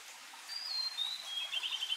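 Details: Japanese robin singing: a clear, high whistled note slides gently downward, then breaks into a rapid, ringing trill of repeated notes at a steady pitch. A faint background hiss is present.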